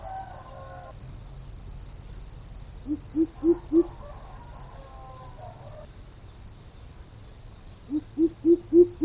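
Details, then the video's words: Two bouts of deep, resonant hoots from a greater coucal: four notes, then a pause with faint higher bird chatter, then six more, each run climbing slightly in pitch and volume. A decoy-style recording with a steady background hum. "Tiếng chim bìm bịp kêu"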